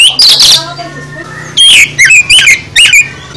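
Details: Oriental magpie-robin (kacer) in full 'isian' song: a harsh, loud opening burst, a quiet pause with a faint low hum, then quick clipped whistles that rise and fall.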